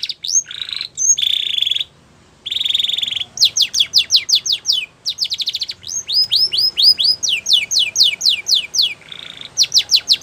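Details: Belgian canary delivering a rich song of steady buzzy rolls broken by short silences and quick sequences of sharp descending whistles, about four notes a second.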